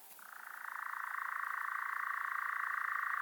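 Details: European Nightjar giving a steady, mechanical churring trill: a rapid, evenly pulsed buzz on one level pitch that starts softly, swells within the first second and runs unbroken for over three seconds, with no other clear sounds.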